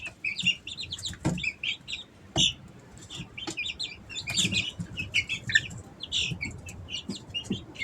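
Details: Easter Egger chicks, three weeks old, kept at home in summer; many short high chirps and peeps overlap throughout, with soft scratching and rustling low underneath.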